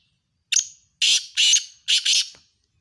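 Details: Two black francolins in a calling contest, dated 7 October 2022: a thin sharp note, then four loud, rasping, metallic-sounding bursts arranged in two pairs, crisp and piercing over silence.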